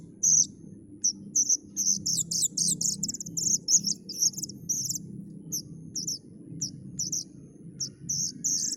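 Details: Plaintive cuckoo chick calling: high, thin, buzzy chirps, repeated in quick irregular bursts, some running together into rapid rasping runs, over a steady low hum.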